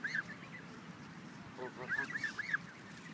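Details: A goose craving attention hisses repeatedly and finally jumps into frame to hiss again; heard as a few short, nasal honks, one at the start and a quick cluster of three or four near the end, over a low murmur.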